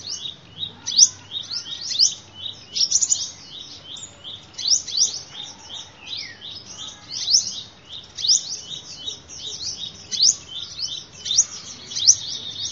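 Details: Sunbird song used as a lure call: long series of high, quick chirps and short descending trills, nearly continuous and rhythmic, with faint background noise.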